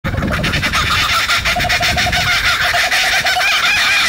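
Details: Laughing kookaburras in Sydney, Australia, calling together as a family territorial chorus: loud, raucous, rapid, harsh chuckling notes tumbling over one another in a continuous cackle with no pause.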